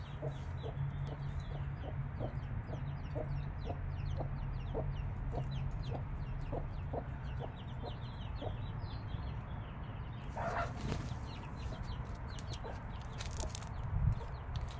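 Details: A mother hen clucks in a steady, quick run of short low notes while her five-day-old chicks peep high and sharp throughout; a louder hen note and rustling noise break in near the end, with a constant hum.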